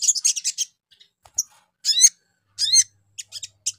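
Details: Sogon lure sound to provoke other sogon: quick high chirps, then loud descending swept notes with layered harmonics, repeated twice, ending in short soft chirps.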